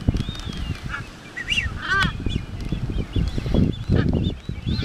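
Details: Galapagos albatross in courtship display on the Galapagos Islands: short nasal, wavering calls and clattering, with a clear arched call near the middle, over steady low wind rumble.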